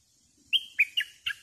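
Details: Bulbul kept as a decoy for luring wild birds, delivering four loud whistled notes about a quarter second apart, each starting high and sliding downward, against near silence.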